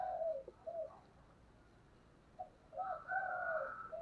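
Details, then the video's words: Spotted dove of the 'giọng thổ' voice style, intense calling: a pair of low coos, a pause, then a rising run of throaty coos with a brighter upper tone, over low hiss. "Cu gáy giọng thổ/ thúc căng lửa"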